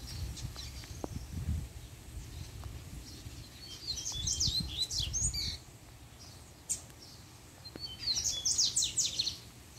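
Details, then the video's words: Double-collared Seedeater (coleiro), one of a kept breeding pair, the male singing when the female comes into view: two bursts of fast, high, chattering notes, the second longer and denser, with low thumps and handling noise in between. "PUXADA DE COLEIRO 2 - A FÊMEA APARECE O COLEIRO SE TRANSFORMA!!!"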